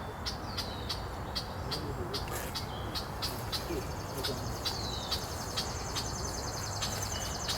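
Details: A Gray Catbird at an arboretum in Slingerlands, New York, gives short, scratchy, down-slurred notes in quick succession over a steady low rumble, with a thin high insect-like hum joining midway.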